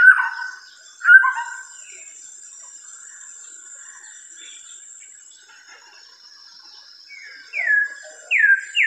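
White-rumped Shama singing rich, fluty whistled phrases, then after a long pause three loud downslurred whistles; a thin, steady, insect-like high tone hums behind.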